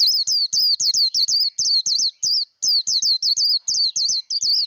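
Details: Japanese white-eye trained for song, delivering a long continuous stream of sharp, high, twisting chirps in quick succession, with one brief pause midway.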